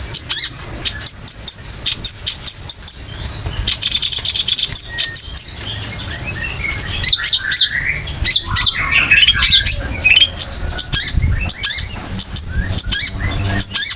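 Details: Long-tailed shrike song used as a master recording for training other songbirds: rapid varied chirps, sharp high clicks and whistled notes, dense and continuous, with some busier mimic-like phrases in the middle.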